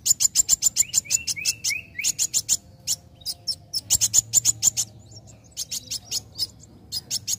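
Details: Song of a young sunbird used to rouse other birds to sing: rapid, shrill high chirps in dense runs, a few rising whistles, then brief pauses and renewed bursts.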